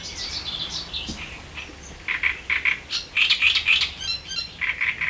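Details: Great reed warbler along the Elbe: softer scratchy notes open the clip, then bursts of loud, grating, doubled and tripled syllables repeat in jerky groups.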